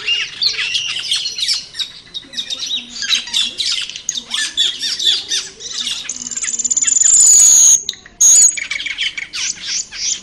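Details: Black-winged starlings in the wild squawking and chattering in quick irregular bursts, a loud high insect-like drone taking over for a few seconds before the birds resume.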